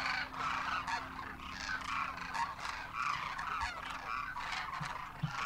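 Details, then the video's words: Demoiselle Cranes by the thousands wintering in Rajasthan, India, first-year juveniles with adults, trumpeting in flight; a thick cacophony of rolling, honking calls, with a few soft thumps and a low hum. "Demoiselle Cranes darken the sky, trumpeting in flight"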